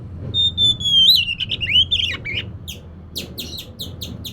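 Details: Oriental magpie-robin lure song for a reluctant singer: a long, steady clear whistle sliding slowly downward into warbled notes, then a run of rasping, rhythmic chips repeated about every third of a second.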